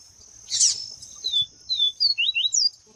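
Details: Double-collared seedeater, female calling to stir up males: after a brief harsh burst, a string of thin high whistles, mostly sliding downward, followed by quick paired chirps and a final falling note, over a constant high hiss.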